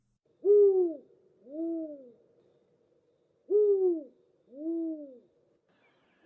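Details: Spotted Eagle-Owl pair duetting: the male's two-note hoots at the start, then the female's three-note call, soft and low, phrases about every three seconds against a quiet background.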